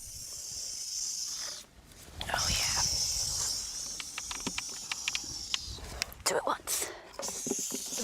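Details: Burrowing owl chicks in a burrow opened from the top in early May, at the former Umatilla chemical weapons depot near Hermiston, Oregon, give a harsh, breathy rattlesnake-like hiss, a defence mechanism to ward off predators, followed by scattered clicks and a person's voice.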